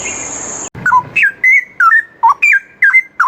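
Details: Straw-headed bulbul (cucak rowo) singing, kept as a training recording for other songbirds. A short burst of noise comes first, then clear, rich slurred whistles, each note bending up or down, delivered in a steady rhythmic string.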